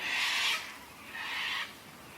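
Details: Wild white cockatoos squawking southeast of Melbourne, Australia, as a storm arrives with rain and thunder, where many gather around storms and sunset. Two harsh, raspy, broadband screeches about a second apart, each roughly half a second long.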